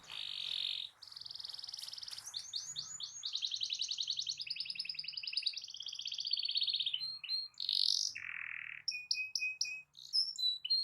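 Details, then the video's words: Canary in full song, singing to stir other canaries into singing. It opens with sustained buzzy trills, moves through rapid rolling tours, then ends in short separated whistled notes and a lower rasping phrase. "Kicau Kenari Gacor Efektif PANCING EMOSI Kenari lain Cepat ikut gacor Ngerol panjang"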